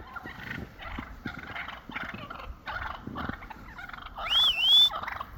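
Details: Wild turkeys gathering into a flock after a snow storm, settling their pecking order; a run of rattling gobbles repeated about three times a second, ending with a loud rising-and-falling whistled call near the end.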